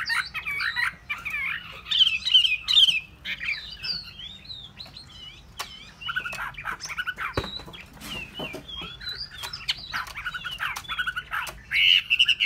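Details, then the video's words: Hwamei pouring out a long, varied song of twisting whistled slurs and quick chattering runs, loud and sustained with brief pauses between phrases. "họa mi"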